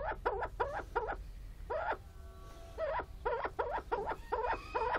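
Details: Willow ptarmigan (willow grouse), ready to mate, gives a fast series of harsh, nasal, barking notes in short bursts, with a brief pause and faint thin whistles between them.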